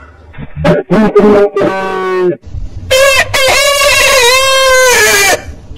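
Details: Rooster from a compilation of heritage chicken breeds, with short choppy notes first, then a long sustained harmonic crow that holds steady before dropping off; other sounds mixed in at the start.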